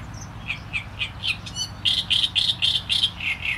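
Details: Great reed warbler singing a rhythmic series of harsh, croaking notes, each repeated about four times a second, growing louder partway through the phrase.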